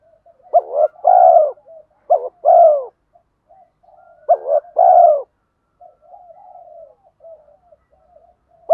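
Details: Male and female spotted doves calling to rouse birds under training: three deep phrases of double short notes and a long falling coo, then soft low murmuring, a new phrase starting at the end.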